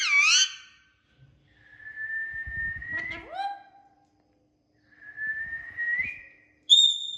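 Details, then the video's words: Natural sounds from a talking Indian ringneck parakeet: a brief harsh, wavering call opens, followed by two long whistles that each climb gradually in pitch, one ending in a short downward slide, then a clear high piping note, with some soft thumps. "Talking parrots making natural sounds and saying mithu | Alexander parrots | Indian ringneck"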